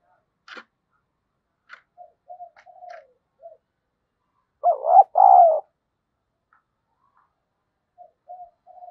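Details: Decoy spotted dove calling to provoke rivals: scattered faint short low notes and a few sharp clicks, then one loud two-note coo, hollow and mellow, fading to soft notes again.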